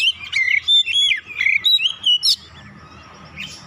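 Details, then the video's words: Lure recording of an Oriental magpie-robin meant to set other birds singing; quick run of whistled slurs and chirps for about two seconds, then a quiet stretch with faint hum and one last soft note. "PANCINGAN KACER lelet bunyi langsung gacor nembak rapat"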